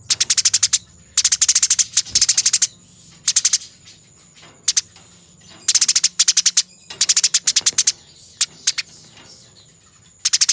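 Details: Fighting Eurasian tree sparrows on a training master track: clustered salvos of quick, shrill chirps delivered in tight runs roughly every second or two, occasional lone notes between them, a low hum and faint high tone in the background.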